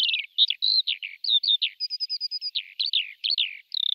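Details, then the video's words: Lark singing a quick run of short chirps, slurred whistles and little trills, the notes tumbling one after another with only tiny gaps, high-pitched and clean with no other sounds around. "تغريد طائر قبرة الحقول(القوبع) Chant de Alouette des champs"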